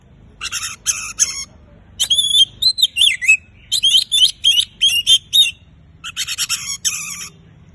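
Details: Oriental magpie-robin song for stirring quiet birds into singing: rapid harsh rattling bursts open and close a run of rich whistled notes, some falling in pitch, delivered in quick succession with a soft low hum beneath.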